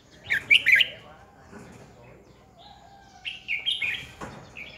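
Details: Red-whiskered bulbul kept as a decoy for training competitive singing, opening with three loud chirped notes, then quieter warbling and a low steady tone, followed by a longer chattering phrase.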